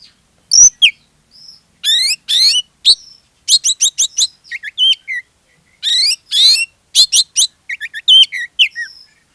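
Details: Loud Oriental magpie-robin song played to draw other magpie-robins into singing; rapid chirp volleys, clear rising whistles and twisting slurred phrases follow one another with brief gaps.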